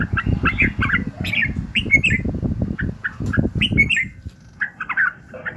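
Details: Morning song of a red-whiskered bulbul, played to train and excite other bulbuls; clear warbled whistles in short bursts, separated by brief pauses, over low background rumble that fades toward the end.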